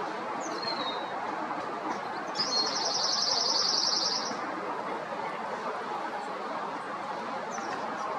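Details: Bewick's wren recorded in Foster City or San Mateo, California, USA, in summer 2021, giving a fast, high-pitched rattling trill of nearly two seconds, with a brief thin note beforehand and constant noisy background.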